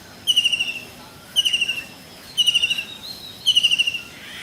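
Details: Blue kingfisher recorded in India, repeating short shrill trills about once a second, four bursts of quick high whistled notes, each fading slightly toward its end. Soft natural background hiss.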